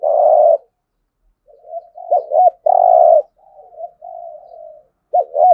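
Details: Cooing spotted dove, 'gù thổ' style, played to stimulate cooing: long buzzy coos alternate with paired arched notes and softer, lower drawn-out murmurs, repeated over several phrases.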